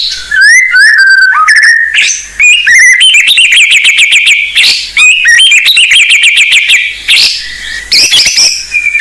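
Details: Blorok white-rumped shama singing energetically as a lure for raw shamas. Quick stacked upslurred notes give way to steady whistled tones and long chattering rattles, broken by brief sharp pauses.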